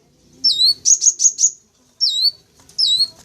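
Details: Sunbird lure call: a piercing downslurred note, then four quick bright high chips in a row, followed by two more sweeping notes after short gaps.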